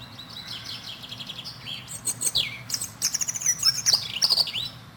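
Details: European robin song: a varied string of high, sliding whistles and rapid twittering notes in short bursts, some dipping then rising, delivered in uneven sequence over soft outdoor hiss.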